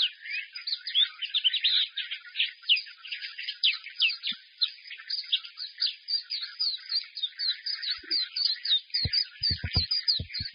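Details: Caged white-eye pouring out a long, fast, high-pitched twittering song, dense and unbroken, with a few low knocking sounds near the end.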